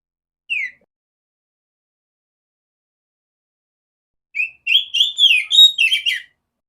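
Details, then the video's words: Female oriental magpie-robin, used as a song tutor for other magpie-robins; one short downslurred whistle, a long silence, then a two-second burst of rapid bright whistled notes. "Terapi burung kacer betina suara besar jernih"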